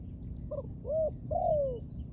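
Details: Close dove phrase of three notes: a soft short hoot, a rising-and-falling arched coo, and a longer coo that slowly slides down in pitch.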